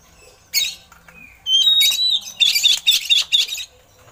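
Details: Oriental magpie-robin song with eagle-call imitations, used as a tutor recording for other songbirds: a harsh buzzy burst, a pause, then a long whistled note and a run of loud rasping, chattering phrases.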